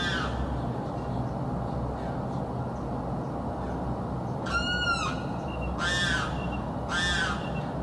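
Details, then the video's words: Bird heard screaming constantly day and night in South Florida; three loud harsh screams in the second half, roughly one per second, over faint earlier calls and background hiss. "screaming bird encounter in South Florida"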